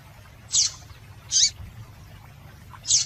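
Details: Three sharp, high chirps from a female double-collared seedeater, spaced roughly a second apart, calling to stimulate males, with a low steady hum beneath.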